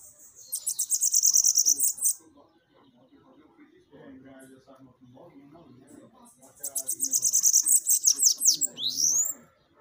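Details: Bananaquit song meant to get captive birds singing: two long bursts of sizzling, very high rapid notes, the second ending in sharp falling sweeps, with low muffled room sounds filling the gap.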